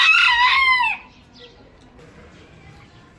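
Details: One rooster crow ending in a falling tone, less than a second long, followed by near-quiet background.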